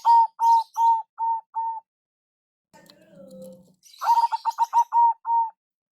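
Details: Lure call from a local zebra dove: five slow, even coos, then a low gliding murmur, then a new phrase of rapid clipped notes easing into longer ones.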